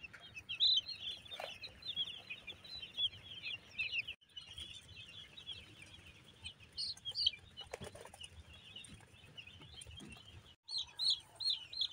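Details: Broiler chicks during brooding on a farm in Nagariakandi, Narsingdi: a dense chorus of high, short peeping calls overlapping continuously, with a few brief clicks and bumps.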